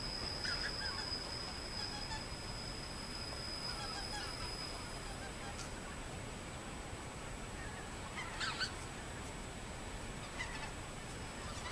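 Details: Migrating greater white-fronted geese heard at Higashi-Noshiro station after a sleeper train's arrival, 24 March 2013: distant scattered honking, clearest near the end, over steady station hum and a high electrical whine.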